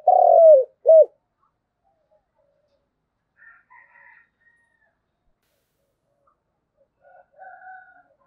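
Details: Spotted dove calling the flock: a long low coo and a short arched one at the start, followed by quiet with faint distant bird chirps.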